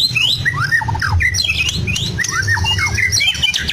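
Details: Caged white-rumped shama of the Medan type pouring out mimicked lovebird, canary and other bird phrases: rapid sharp downslurred squawks, high whistles and quick triple notes in dense bursts, with a steady low hum behind.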